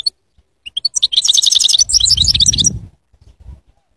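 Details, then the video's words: Goldfinch singing a rapid, high tinkling twitter that builds from a few separate chirps into a dense run of bright notes, with low rumbling noise beneath toward the end. "Bestest Goldfinch singing"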